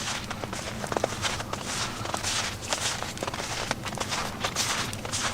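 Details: Crunching footsteps on a snowy hike, a steady rhythm of rough, broadband steps with no animal calls.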